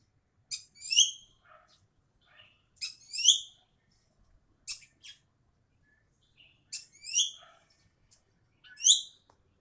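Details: Ekek keling (Javan bee-eater) calling: short rising chirps given in pairs, a faint note followed by a louder one, repeated about every two seconds, with soft lower chatter between them.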